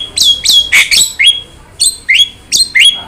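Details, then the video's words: Jalak starling tutor song: bright clipped whistles that rise sharply, given in pairs and small groups with pauses between, clear against a quiet background. "PANCINGAN DAN MASTERAN BURUNG JALAK"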